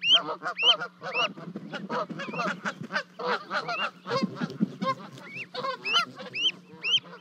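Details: Two Canada goose goslings join mother and father after jumping off a 30-foot-high nest in Charlo, Montana, 12 May 2020. Clear upward-sweeping peeps open and close a long stretch of dense, buzzy honking.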